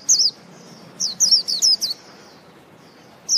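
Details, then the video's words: White-eye song: bright, high, slurred twittering notes in a quick run of five or six, then a pause before another note, over a low background rumble. "Birds chirping singing purebred Zosteropidae - Birdsong"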